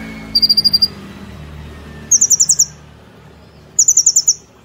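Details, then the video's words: Caged brown-throated sunbird in an active singing style called 'nembak platuk cililin sejalur', on a training recording: three separate short bursts of six or seven very high staccato notes, spaced about two seconds apart, over a quiet hiss. "Kolibri Ninja Gacor Nembak Platuk Cililin Sejalur"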